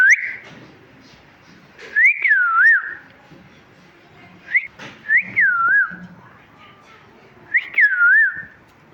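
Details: Chirping from a talking parrot: clear whistled notes that rise, dip and swoop back up, given in short bursts of one to three roughly every two to three seconds over a quiet room background.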